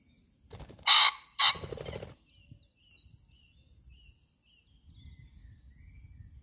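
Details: A pheasant at The Lost Gardens of Heligan on 29 April 2023 gives two loud, harsh, rasping notes in quick succession, about half a second apart, while faint high chirps from small birds continue behind it.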